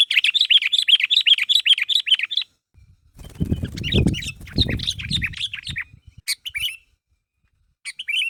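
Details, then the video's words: Sooty-headed bulbul calling others to make them respond: a fast series of bright chirps for two seconds, then a burst of low rumbling handling noise with scattered chirps, and a few later short calls. "Suara Burung Kutilang Gacor Memanggil Temannya Agar Bunyi"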